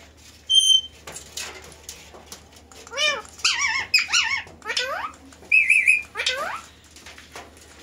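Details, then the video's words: Pet parrot, talking and dancing: a short clear whistled tone, then a run of loud, rapidly wavering voice-like syllables in quick bursts over about five seconds, with a steady low hum from the room behind. "Talking And Dancing Pet Parrot Talking Very Well"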